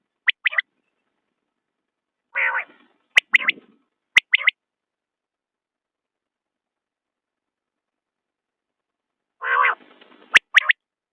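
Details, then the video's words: Common quail giving short, sharp liquid notes in quick pairs and triplets, with rough, growly bursts between phrases and a few sharp clicks. "بٹیر کی آواز/ quail bird sound"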